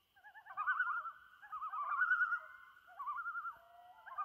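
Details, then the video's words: Loons calling at sunset on Trout Lake in May 2019: long wavering, yodel-like tremolo notes with warbling pitch, several overlapping phrases rising and falling across the clip in a quiet setting. "Loons at Sunset on Trout Lake"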